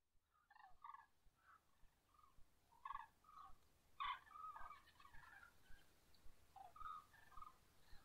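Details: Common cranes at dawn give rolling, trumpeting calls in short overlapping bursts, several birds answering one another, with a loud burst near the middle and quieter calls trailing off.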